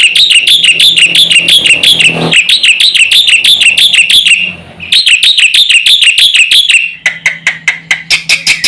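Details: Black-winged myna in full, lively song used to provoke other mynas into calling: long runs of rapid, ringing whistled notes, about three per second, broken by a brief pause and a looser, scratchier ending.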